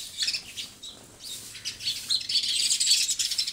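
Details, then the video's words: Sparrow chirping: a few scattered high tweets at first, then a louder, continuous run of rapid overlapping chirps in the second half. "Sparrow talking गौरेया"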